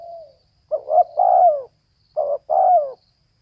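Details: Female spotted dove calling: a soft low coo, then after a pause two short paired phrases, each a quick double note followed by a longer, slightly falling coo. The background is quiet.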